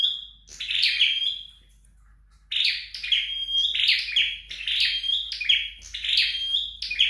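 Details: Flowerpecker practising at home: one high chirp-and-whistle phrase, a pause, then a quick run of buzzy high bursts with thin whistles tumbling together.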